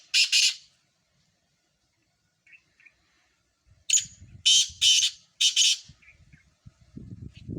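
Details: Four Sindhi black francolins competing in song. A single harsh note, soft chirps, then a loud rasping phrase of four grating notes, with low rumbling noise toward the end.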